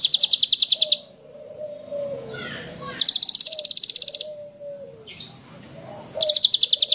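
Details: Bushlark song recorded as training material for caged birds: bursts of very fast, buzzy high trills about a second long alternate with lower, drawn-out whistled slurs that drop at the end.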